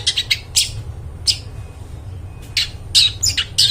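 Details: Long-tailed shrike calling in full voice, meant to draw in wild forest birds; high, scratchy bursts in uneven clusters with short gaps, shrill and harsh, over a light low background rumble.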